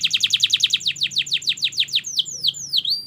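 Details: Vigorous canary training song: a quick run of repeated falling sweeps, about three per second, then slower whistled slides and sharp downward slurs.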